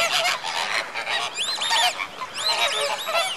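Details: A flock of greater flamingos at Slimbridge in January 2016, active before bedtime, calls in a dense overlapping chorus of nasal, goose-like honks and rising-falling gabbles without pause.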